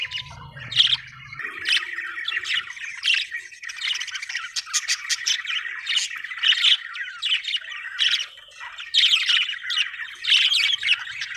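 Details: Happy budgerigar chirping: a continuous, busy warble of rapid high chirps, squeaks and scratchy notes with no pauses. A brief low hum sits underneath the first second.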